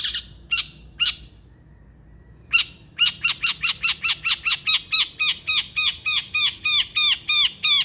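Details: Long-tailed shrike song meant to coax a lazy shrike into singing: a few harsh rasping notes, a short silence, then a rapid steady run of about twenty repeated hooked, downslurred notes, roughly four per second.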